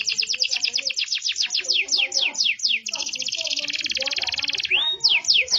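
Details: A yellow domestic canary delivers a long song of quick falling notes repeated in series, then a dense sustained buzzing trill, a single clear whistle and more descending notes at a steady rapid pace.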